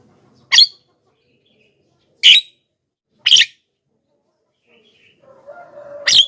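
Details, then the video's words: Javan myna lure call: four raspy, clipped notes at irregular spacing, with a soft low drawn-out sound rising before the last note. "suara BURUNG JALAK KEBO,gacor menggelegar,semua jalak kebo auto nyahut"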